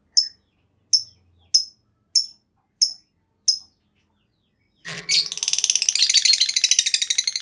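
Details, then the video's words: Lovebird used as a lure to set other lovebirds singing long trills: six sharp high chirps about every 0.6 seconds, then after a pause a loud, dense, buzzy trill ripples on steadily. "Tanpa Nunggu Lama Burung Lovebird Lain Bakal Langsung Ikut Ngekek Panjang!"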